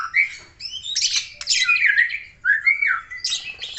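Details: Aceh white-rumped shama singing in loud, scratchy phrases, with grating squawks interleaved with clear slurred whistles that rise and fall.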